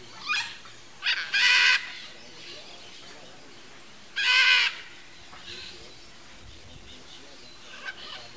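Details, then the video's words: Pair of Red-and-green Macaws (Ara chloropterus) bickering in the wild: two loud, grating screeches about three seconds apart, each roughly half a second long, framed by shorter, softer rasping calls. "Arara-vermelha: Casal Discutindo a Relação"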